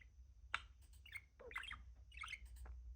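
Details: A pet budgerigar, a talking parakeet, produces quiet, scratchy, rapid chattering phrases with short bright squeaks and clicks, possibly mimicked words, over a low steady room hum.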